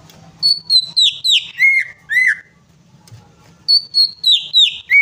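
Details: Greater green leafbird lure song for a bird that will not sing: a rapid string of loud, pure whistled notes falling step by step in pitch, a short pause, then the same descending series starting again.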